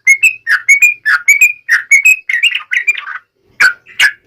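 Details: Yellow-vented bulbul song, a lively lure played to provoke other birds to answer: bright, chattering phrases of short whistled and buzzy notes, rising and falling rapidly, then a brief pause and a few final notes.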